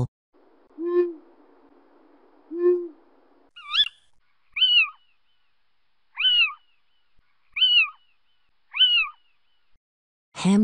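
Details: An owl calling: two low, short hoots about two seconds apart, then five higher, brief, sharply rising and falling screechy notes repeated roughly every second, on a quiet background.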